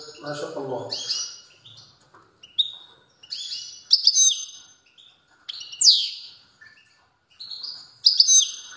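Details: Strong song from a European goldfinch: separate high twittering phrases roughly every second, each with sharp chirps and a slurred downward note. A low murmur is heard at the start.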